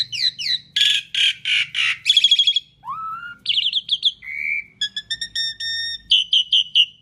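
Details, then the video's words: Loud Asian pied starling song used to lure other birds: downslurred whistles, harsh rasping bursts, a rising low whistle, steady pure tones and quick stuttered notes in a varied continuous medley. "Kicau Jalak Suren Gacor Paling Nyaring - Durasi Panjang ISIAN FULL ROLL cocok untuk PANCINGAN"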